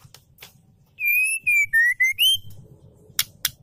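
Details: Female Oriental magpie-robin calling a male as a lure: a run of four or five loud whistled notes, alternately slurred down and up, followed by two sharp clicks over a low hum.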